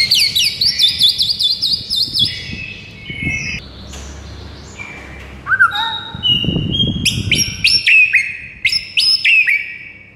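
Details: White-rumped shama in a morning masteran recording meant to rouse a silent shama: fast bright whistled trills, a pause with low whistled slurs, then crisp repeated high flicks.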